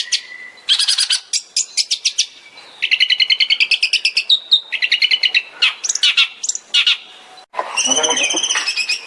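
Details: Long-tailed shrike (cendet) song in the 'tembakan' style, used as a master recording for training kept songbirds: a varied, high, fast run of sharp repeated chirps, buzzy trills and whistled notes with brief pauses. Harsher broadband notes come near the end.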